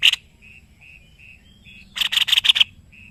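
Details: Indonesian caged tutor bird, a white-necked babbler: one sharp chip, then soft short whistled notes, then a fast burst of about six loud chattering chips.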